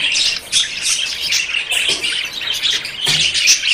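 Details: Budgerigars in courtship, about to breed, giving loud harsh squawks and buzzy chirps in quick bursts, several birds calling over one another.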